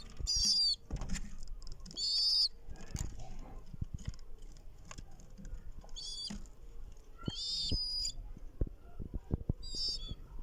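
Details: Pigeon chicks giving short bursts of thin, high, wavering squeaky wheezes, about five bursts spaced one to two seconds apart, with soft thumps and rustling between them.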